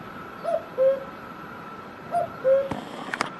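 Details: Cuckoo in Himachal Pradesh, India, calling twice, each a descending two-note cu-ckoo, high then lower and longer; a few sharp clicks and knocks follow near the end over a faint hum.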